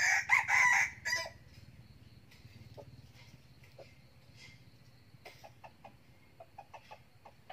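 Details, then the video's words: A young red junglefowl cockerel, a keen crower kept as a decoy bird, gives one hoarse, clipped crow of about a second, followed by soft, scattered clucks and faint ticking sounds. "Gà tơ siêng gáy, gà rừng mồi"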